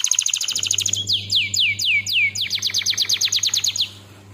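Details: Kenari canary tutor song: a fast trill, then loud sweeping downslurred notes about three per second, then a quicker run of slurred notes fading out, over a steady low hum.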